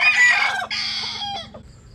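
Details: Sunbathing bantam chicken of Japanese-Cuban type gives the loud, rasping tail of a crow, two harsh bursts that fade and drop in pitch.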